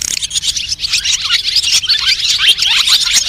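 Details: A white-bellied swallow flock-calling recording, used as a lure for net trapping, keeps up a dense, high twittering of quick overlapping chirps and buzzy trills, almost continuous with no clear pause.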